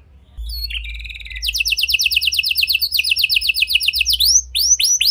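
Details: A canary singing strongly, played to coax quiet canaries into responding. After a soft start, a few chips build into dense fast trills in two pitch layers. The song ends with loud upward-curving whistled notes.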